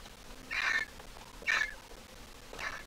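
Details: Griffon vulture nestling, grown but still squeaking, hatched 2023 and from the Jerusalem Biblical Zoo; three hoarse, squeaky calls about a second apart, each short and slightly falling, with faint background hiss.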